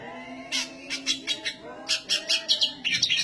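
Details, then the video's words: High, energetic black siskin song made of clipped chirps repeated about three times a second, growing into denser twittering toward the end over a faint low background hum. "black siskin gacor suara tinggi!"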